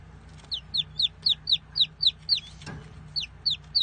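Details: Baby chicks peeping: a steady series of high, thin, downslurred peeps, about three a second, over a low background hum.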